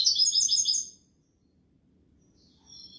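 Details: European goldfinch song in the Malaga style: a short burst of lively, high twittering at the start, then near silence ending in a faint thin whistle.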